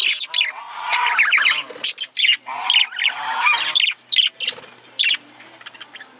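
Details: Male budgerigar, or parakeet, chattering in bursts: harsh squawks and chirps with broad buzzy notes, separated by brief pauses, louder segments every half second to second.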